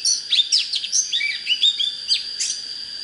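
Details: Oriental magpie-robin song used to rouse birds for fighting contests: rich run of high varied whistles, slurs and quick trills, with a steady insect-like hiss running underneath.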